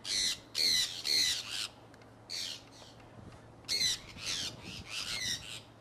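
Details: A flock of conures flying in Iowa in early spring 2003 gives grating squawks in loose bursts. Three loud screeches come first, then quieter calls, then another cluster of harsh cries near the end.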